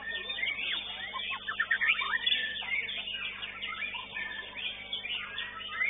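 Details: A White-rumped shama, first-place winner in an elite-class songbird competition, pours out a rich, fast song of varied whistles, slurs and quick trills with barely a pause; other birds may be singing alongside.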